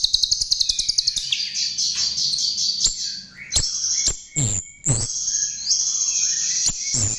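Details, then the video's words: Chestnut-tailed starling used as a lure, starting with rapid repeated ticks, then a high chattering warble interrupted by loud sharp clicks and snaps. "Ternyata ini Pancingan Jalak RIO RIO"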